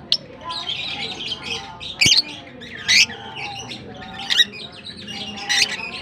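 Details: Colony of African lovebirds: scattered shrill squeaks and short chattering squawks come in separate loud bursts about a second apart, over a low murmuring background.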